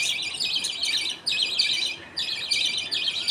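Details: At feeding time in a budgie colony, a father feeds paste to his two chicks; three scratchy, pulsing high bursts, each about a second long, with slight pauses between.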